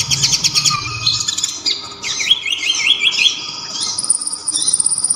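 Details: Kolibri ninja, the local konin or olive-backed sunbird, with a loud sharp voice, plus kapas tembak filler. Quick high trill, then looping whistled slurs repeated several times and a thin high piping note, over a steady hum.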